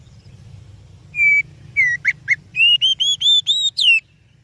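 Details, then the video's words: Oriental magpie-robin song used as a lure for other birds: clear whistled notes near the start, then two short sharp notes and a quick series of rising, bright whistles. Faint low hum underneath. "Suara Burung Kacer Yang Sangat Indah,Cocok untuk Pancingan"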